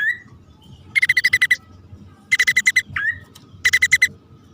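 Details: Male and female bar-winged prinia calling, recorded as a lure sound: three bursts of about seven rapid, evenly pulsed rattling notes, with a single upslurred chirp between them over a faint low hum.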